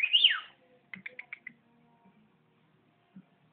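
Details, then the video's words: Whistling pet bird indoors: a loud swooping whistle that climbs and falls, followed by five quick clipped notes, then near silence with a faint tap. "Regie bird whistling"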